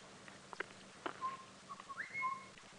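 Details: Southern Boubou calling from thick bush in a drainage line during an evening game drive on 30 April 2017: soft clear whistled notes, one low and level, another sliding up to a higher pure whistle, with faint clicks and background hiss.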